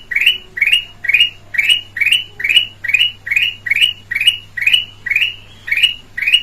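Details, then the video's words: Red-eyed form of the black-crested bulbul, clear-voiced, used as a lure bird. Thirteen quick rising chirps in steady succession, each a sharp upward slur, over a soft constant low hum. "Kutilang Emas mata merah suara jernih buat pancingan"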